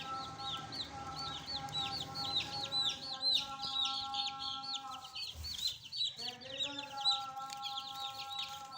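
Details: Fresh chicks kept as pets give a dense chorus of high, downslurred peeps, many overlapping and repeated about twice a second, over a steady humming tone in the background with a brief gap near the sixth second.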